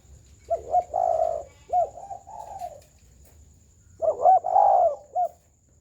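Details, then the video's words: Spotted dove giving full, round coos (gù tròn) in two bursts. Each has clipped double notes, then a long mellow note, with a quieter coo in between and a faint steady high whine underneath. "Chim cu gáy gù tròn, giậtcánh hay"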